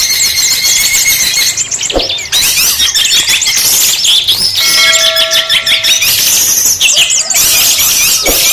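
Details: Kutilang emas (sooty-headed bulbul) singing busily and often, a full song packed with fill-in phrases: dense, continuous high chattering and warbled notes with scattered whistles, one break near two seconds.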